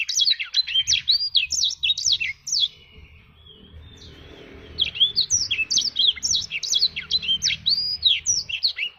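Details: Black-throated canary delivering rapid bursts of sharp, high swooping notes, then a short thin whistle and a quieter pause before another lively, busy phrase.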